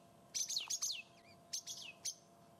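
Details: A thrush on an African sunset drive, 6 December 2016, gives harsh, high chattering alarm notes in two bursts, probably mobbing a pearl-spotted owl seen as a predator; a faint steady hum runs underneath.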